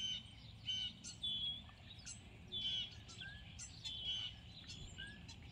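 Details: The first Purple Martin scouts (Progne subis) give gurgling, chirping calls, bursts of warbled notes about once a second, over a low background rumble.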